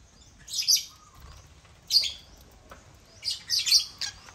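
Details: Captive African lovebirds (Agapornis) on a millet-laden crane toy: shrill clustered chirps in three bursts, the last a rapid run of several high squeaky notes.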